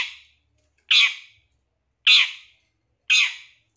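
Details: Untrained long-tailed shrike used as a lure to provoke singing. It gives loud scratchy squawks about once a second, broad and hoarse, with silence between them.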